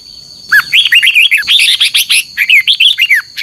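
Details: Morning dueling song of a red-whiskered bulbul, recorded as a lure for training birds: a fast, continuous run of loud, rolling, whistled notes, each slurring up and down, with a steady high-pitched hum behind.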